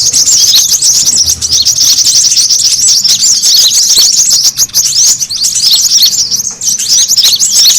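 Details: Brown-throated sunbird lure sound for drawing birds close: relentless high, sharp twittering of many overlapping notes, fast squeaky chips and short rising whistles.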